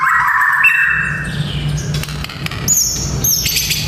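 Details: White-rumped shama song played to train young fighter males: a loud slurred whistle, then sparse very high thin whistles and ticks, over a low steady hum.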